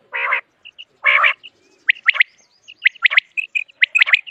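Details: Common quail: two rough, nasal harmonic notes open, then quick pips and sharp rising sweeps in rapid succession.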